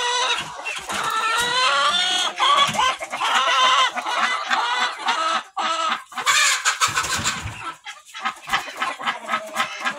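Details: Barn chickens of mixed breeds, hens and roosters, call over one another in late July, a dense run of harsh, nasal clucks and squawks at mid pitch, continuous with brief drops.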